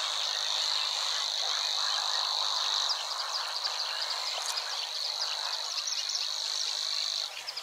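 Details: Savi's Warbler singing in marshland at Wetering West, Overijssel, Netherlands, on 6 or 7 May 2022, with a second bird audible in the background: an unbroken, high buzzing reel running for about seven seconds over soft marsh ambience.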